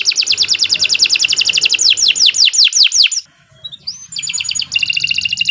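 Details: Domestic canary singing a long master song for training: a rapid rolling trill, then a run of loud descending swept notes, a short pause, a rising whistle, and a fresh high trill.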